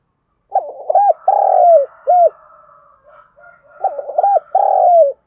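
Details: Spotted dove used as a decoy to lure wild doves, giving urging and calling coos: two phrases, each a quick stutter of short notes, a long drawn-out falling coo, then one clipped final note.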